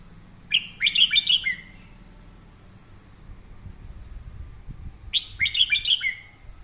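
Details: Red-whiskered bulbul singing a fiery training song: two short bursts of four or five quick, bright warbled notes, each phrase about a second long and separated by several seconds of quiet, with faint low hum beneath.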